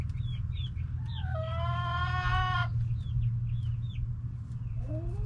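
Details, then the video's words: Backyard hens and roosters making noise: a loud, drawn-out, rich harmonic squawk lasting about one and a half seconds, surrounded by quick high chirps and ending in a rising lower call, with constant low background hum. "Back yard chickens making noise🐓 Relaxing sounds of hens and roosters"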